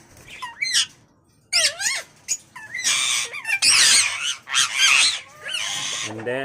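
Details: Imported pet Indian ringneck parrot indoors producing a busy run of chattering, squawky, warbling notes with rising and falling sweeps, some stretches dense and loud, others brief chirps, with a possible human voice mixed in.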